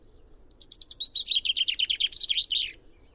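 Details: Common chaffinch phrase: soft high notes build into a rapid, descending trill of repeated chips, ending in an emphatic flourish after roughly two seconds, heard clearly against a quiet backdrop.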